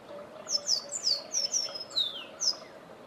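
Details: Forest canary song: a quick run of high, thin, sharply descending whistled notes, some slurred downward in pairs, delivered in a lively burst over a steady low hum in the background.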